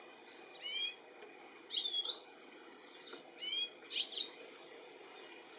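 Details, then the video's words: European goldfinch in the UK, July 2017, calling for its young; a few clusters of quick descending twittered notes, roughly every couple of seconds, over a low steady hum. "Goldfinch calling and lookink for his baby"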